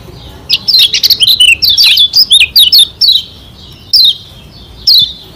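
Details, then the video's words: Lombok white-eye singing to stir up rivals: a quick tumbling series of high slurred chirps, then sparser single descending notes. "Masteran Kecial Kuning SELALU SUKSES Pancing Emosi Lawan Bikin Cepat GACOR"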